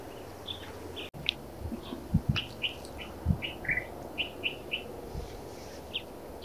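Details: Black redstart in the Narsapur forests: a busy run of brief, high chirping notes repeated about twice a second, with low thuds and rustling beneath.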